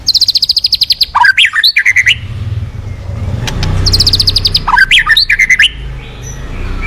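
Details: Energetic white-rumped shama song meant to lure other birds into singing: rapid bursts of evenly repeated high notes alternate with slurred whistled phrases, while a low rumble, like a passing vehicle, swells in the background midway.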